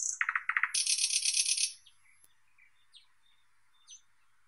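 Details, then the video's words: Song of the thrush nightingale opens with loud throaty pulses and a dense, harsh rattling trill of about a second. Faint, scattered whistled notes follow in near silence. "Как поёт Соловей обыкновенный (Luscinia luscinia)"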